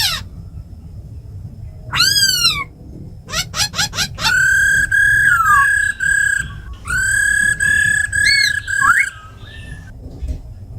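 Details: Tame khướu mun laughingthrush in 'giọng rừng' forest song with a rattling female, used to fire up captive birds: sharp falling notes and quick clicks lead into long, rich sustained whistles ending in short upward flicks.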